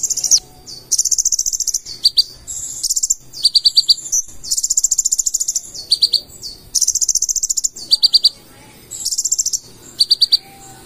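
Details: Purple-throated sunbird (konin) in energetic 'gacor full isian' song: very high, rapid buzzy trills alternating with short bursts of sharp ticking notes, delivered in bursts of about one second with brief pauses, faint low hum beneath.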